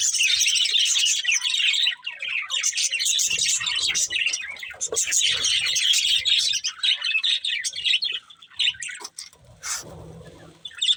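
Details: Budgerigar breeding pair chattering rapidly, busy high chirps for most of the stretch, fading toward the end with a few sharp clicks.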